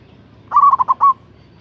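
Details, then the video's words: Local zebra dove with a big voice, luring a rival: one short phrase of five rapid rolling coos, the final note longest, lasting about two-thirds of a second. "Suara Perkutut Lokal GACOR Suara Besar Ampuh memanggil LAWAN Emosi Manggung PANCINGAN PERKUTUT LOKAL"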